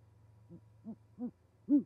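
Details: Great horned owl at a winter osprey nest in Charlo, Montana, January 20, 2020, where a pair brings prey and mates: four short, deep hoots that grow louder one after another over a faint electrical hum.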